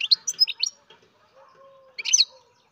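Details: Captive-bred baby European goldfinch giving high, bright chirps: a quick run of five notes, a pause with a faint steady low tone underneath, then a dense closing burst of chirps.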